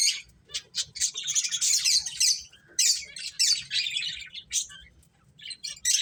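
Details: Several finches playing give dense, high chirps and squawky notes in rapid bursts, packed into overlapping clusters with brief quiet gaps between them.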